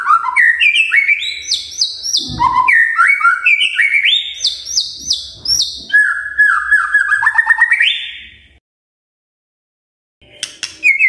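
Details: Varied morning song of a magpie-robin, used to trigger other magpie-robins to sing: rapid chains of clear whistles jumping between high and middle pitches, with rising slurs and brief buzzy notes, then a pause and a short resumption.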